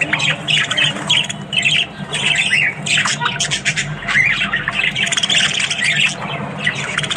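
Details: Several Australian budgies in the morning, chattering steadily with dense scratchy warbles, squawks and short rising whistles, the calls overlapping without pause, with a low steady hum underneath.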